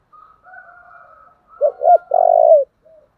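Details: Spotted dove giving a 'thổ' voice calling coo. Soft faint cooing comes first, then two short hoots and a long rolling coo, followed by a brief quiet note.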